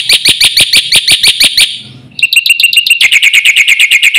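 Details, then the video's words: Black-winged myna singing hard with champion fill-in material, used to teach other mynas: a burst of loud, sharp chirps, a short quiet gap, then a faster, thinner, trilling run of chirps. "BURUNG JALAK PUTIH GACOR FULL ISIAN JUARA"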